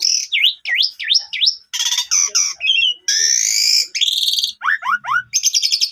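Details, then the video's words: Asian pied starling singing hard as a lure for birds gone quiet: four V-shaped dipping whistles, crackling harsh bursts, a long rasping note, falling slurred whistles and a closing buzzy trill. "Pancingan Maut Jalak Suren Pundung Langsung Gacor Dan Bongkar Isian"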